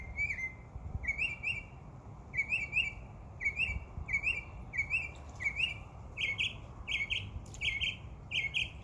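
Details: Summer chirping from birds in a backyard: a fast run of short, bright chirps, often in pairs. The series shifts partway through to louder, flatter notes, over faint background noise.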